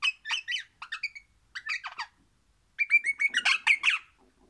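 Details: An orange crimson rosella, described as happily singing, gives rapid bursts of scratchy, chattering notes mixed with brief whistles. The bursts come in two groups with a short pause, the second louder and denser.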